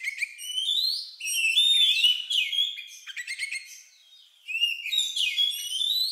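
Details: Oriental magpie-robin singing an odd, lovebird-like song meant as a lure to get other birds singing: bright whistled notes and rising slides, a run of dry clicking trills, a brief lull, then fresh whistled phrases.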